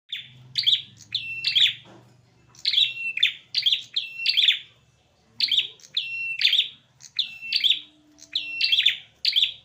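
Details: Male prinias fighting fiercely, giving loud, sharp, chirping call bursts. The bursts come in quick clusters of two or three strident notes, with brief pauses between the groups. A low hum sits faintly in the background.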